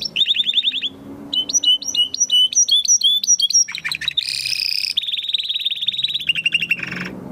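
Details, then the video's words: Spanish Timbrado canary, 2020 breeding, in training song: a metallic trill, then clipped two-note whistled phrases, then dense buzzy rolls and a long steady rattling trill with low background hum. "Canary training Song"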